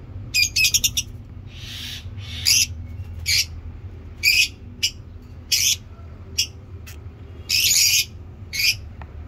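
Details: Caged lovebirds kept for breeding giving sharp, high, scratchy squawks and chirps in short bursts spaced about a second apart, with a low background hum throughout.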